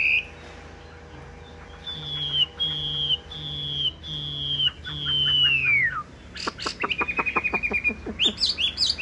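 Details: Chinese hwamei, a tame caged bird with yellow legs and bill: steady high whistles repeated about every second, then a long falling slur, a quick stuttering series of notes and sharp chirps, with faint music behind.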